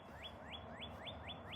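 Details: A Northern Cardinal, possibly perched in the sun, sings on a very cold winter morning, 21 February 2024, a rapid series of clear, upslurred whistles, about four per second, each rising sharply, over a steady low background rumble.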